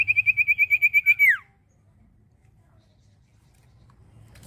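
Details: Common iora delivering a fast trill of roughly eleven whistled notes at steady pitch with a closing downward slur, followed by near silence and a soft rustle at the end.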